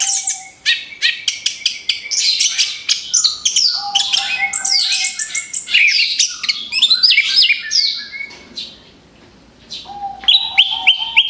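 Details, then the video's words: Orange-headed thrush singing as bait for other birds: dense bursts of fast, high chattering notes and trills, broken by steady lower whistles near the start and end, with a brief quieter gap late on. "SUARA ANIS KEMBANG BUAT PANCINGAN MAUT"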